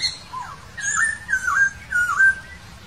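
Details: Loud whistled song from a wild laughingthrush: a falling note, then three rich whistled phrases, each dipping and rising again, delivered in a steady, flowing sequence.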